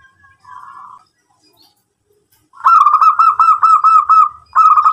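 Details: A local zebra dove gives a fast run of about eight clipped, even cooing notes at a mid pitch, then starts again after a pause. A brief softer coo comes first.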